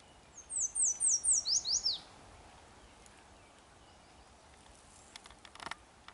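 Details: A yellow warbler at Drumheller, Alberta, Canada, sings a quick run of about seven very high, bright, down-slurred notes in under two seconds, followed by quiet with a few faint clicks.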